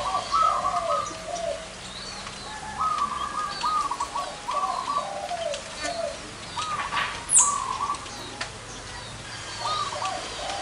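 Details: Zebra doves with large and small voices, gathered together outdoors: several rolling, stuttering coo phrases in two pitch bands, repeated every second or two, with faint higher bird chirps and one sharp high note in the background.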